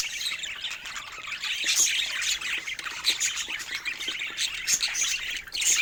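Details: Playful pet budgerigars chatter continuously, a rapid jumble of high chirps and rasping warbles, with bright whistled pips every second or so.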